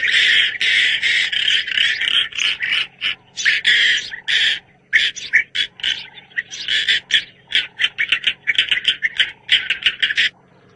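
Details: A European roller, recorded outside South Africa, gives harsh, rasping chatters in rapid bursts, some clustered, others spaced half a second apart, like a scolding squabble or monkeys fighting.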